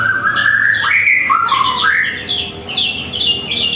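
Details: White-rumped shama singing at home in the morning: a rich, varied run of clear whistled notes, sweeping slides and slurred phrases, ending in a series of higher, sharper chirping notes.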